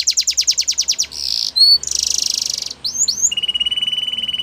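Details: Belgian canary singing as a training model for young canaries: a series of sharp descending notes, then buzzy rattling trills and a steady pulsing low trill, each tour changing abruptly.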